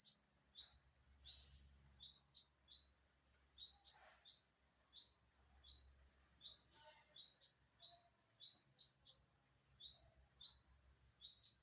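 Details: Bird of unidentified species, September 27, 2022: a long run of short, high, rising chirps, sometimes in clusters of two or three, with brief gaps and low background hum.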